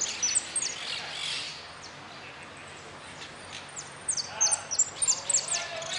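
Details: A goldfinch sings at an interclub cup contest on 4 March 2018, a fast, high, tinkling twitter in short bursts, loudest near the start and again toward the end, over a steady background hiss.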